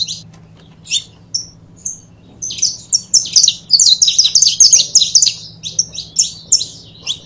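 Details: Saffron finch pair in song. A few isolated high chirps open the clip, then a dense stretch of quick, bright notes from about three seconds on, easing back to spaced chirps at the end, over a faint background hum.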